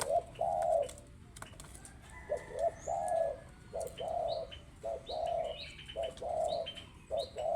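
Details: Spotted dove, or tekukur, singing steadily: low mellow coos in short repeated phrases of two or three notes, with a constant rustling background hiss and faint high chirps of other small birds.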